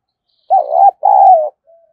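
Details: Spotted dove kept as a decoy, cooing to lure wild doves: two loud, low, rough coo notes, the second longer and falling slightly, followed by a faint short trailing note.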